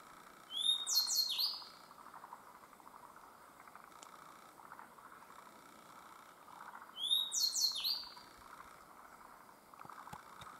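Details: Two song phrases from a Grey bunting in the Myōkō Kōgen highlands, about six seconds apart, each a high clear whistle followed by fast buzzy downslurred notes; a low continuous murmur fills the gaps between phrases.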